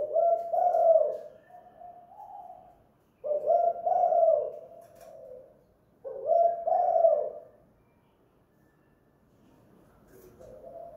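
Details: Home-kept spotted dove (tekukur) calling in the kuk/guk gantung style used for luring. Three strong, hollow coo phrases are spaced about three seconds apart, then quiet with a faint final coo.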